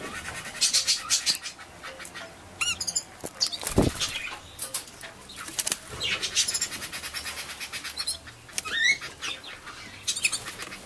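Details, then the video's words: Scarlet-chested parrots (splendid parakeets, Neophema splendida) give soft, high twittering chirps and short squeaky notes in scattered bursts, mixed with wing flutters and a dull thump. "splendid parkieten - Scarlet-chested Parrot"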